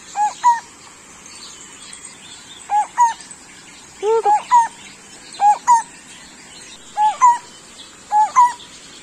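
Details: A Lineated Barbet (bultok), a single bird said to be in breeding condition and sounding like a zebra dove, gives paired, mellow hooting 'bul-tok' notes with an upward lilt, about every one and a half seconds over soft hiss.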